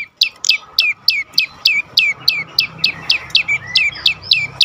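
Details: Prinia (prenjak lumut) song meant to stimulate other birds into singing: steady run of piercing high downslurred chirps roughly three per second over a soft background hiss.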